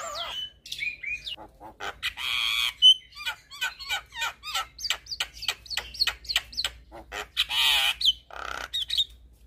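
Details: Javan myna chattering song played to tutor young mynas: descending whistles, harsh rasping buzzes and quick rising chirps in a busy, irregular stream.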